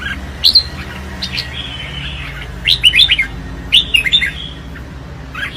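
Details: A red-whiskered bulbul in competitive song gives two or three short bursts of clear, sliding whistled notes separated by quiet gaps, over a steady low background hum.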